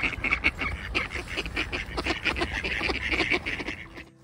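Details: A squabbling flock of ducks on the water at Tveiten keeps up fast, harsh chattering quacks in overlapping bursts, fading briefly at the very end.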